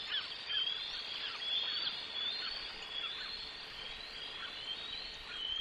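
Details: Two juvenile bald eagles in hot pursuit of a parent male carrying food around cliffs at West End on 8 July 2024. Repeated high, thin squealing notes run together continuously over a steady hiss of wind.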